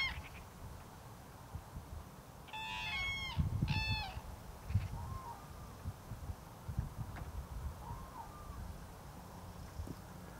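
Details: A Common crane on 16 February 2020 gives two loud, rolling trumpeted calls close together, then fainter, distant bugles, with a steady low wind rumble underneath.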